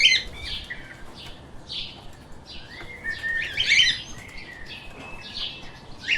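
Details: Pet lovebirds chirping in a busy flock: many short, harsh, high chirps and squeaky notes tumbling over one another, with a few longer rising whistles and a louder burst of overlapping calls near the middle, over a faint low background hiss.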